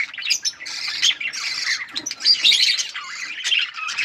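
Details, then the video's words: A flock of budgerigars chattering: busy high warbles, short squawks and rising chirps overlapping continuously, in rapid irregular bursts. "Budgies parrot beautiful colour budgies chirping sounds"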